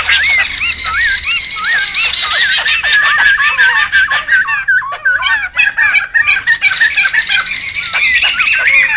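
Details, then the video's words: Laughingthrushes in the wild, calling noisily, for luring and tutoring: sinuous whistled notes curling up and down amid dense high chatter and sharp clicks, with a quieter, broken patch partway through before the bright chorus resumes. "SUARA PIKAT DAN MASTERAN SEMUA BURUNG POKSAY RIBUT ALAM LIAR"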